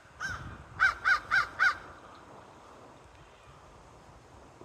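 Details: Crows perched in a tree give four evenly spaced, harsh, nasal caws in a quick run, then fall quiet over a low background hum.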